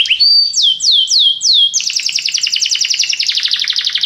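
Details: Belgian canary song: four loud downward-sweeping whistles, each about half a second apart, then a dense, buzzy rapid trill that continues steadily to the end.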